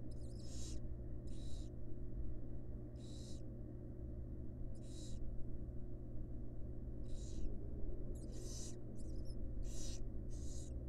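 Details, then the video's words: Wild barn owl family in a nest box, female feeding fledglings; repeated breathy screeching hisses, about ten, irregularly spaced and sometimes overlapping near the end, against a persistent low hum. "Motherly Love: Female Barn Owl Tenderly Feeds Her Adorable Fledglings"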